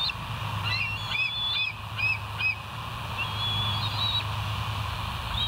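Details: Bald eagles at the West End nest, filmed by a live nature cam dated 08/06/2023 at 05:24; short chittering notes with a rising and falling pitch in quick uneven bursts, steady low hum underneath.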